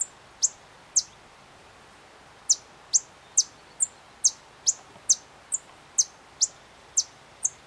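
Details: A White-vented Violetear in Candói, Paraná, Brazil gives sharp, very high chips, about two per second, with one brief pause; the background is otherwise quiet.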